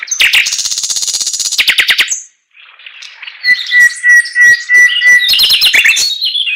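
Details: Singing Chinese hwamei: a rapid rattling trill for about two seconds, a short silence, then a long level whistle under soft notes, ending in loud, emphatic repeated phrases.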